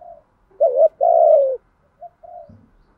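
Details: Spotted dove lure bird, with male and female voices, calling to stimulate other doves to coo: a short low coo, then two longer husky, gently wavering coos, followed by two softer brief notes.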